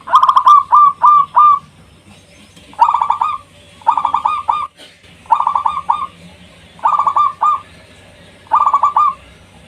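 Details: Local zebra dove singing strongly as a lure to call rivals: short bursts of three to four quick cooing notes, bouts repeated roughly every one to two seconds against a quiet background.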